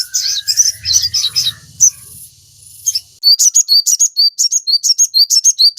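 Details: Crimson sunbird singing, played to draw captive birds into song: jumbled high twitters, then a steady run of crisp, repeated high chip notes, roughly two per second.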